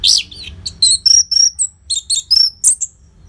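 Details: Orange-headed thrush song from northern Bali, used to get silent caged birds singing: hurried mix of harsh scratchy notes and clear high whistles, a long thin whistle repeated, bursts coming fast with short gaps.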